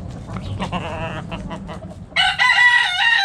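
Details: In a backyard coop, hens cluck in short choppy notes before a rooster bursts into a loud, harsh, drawn-out crow.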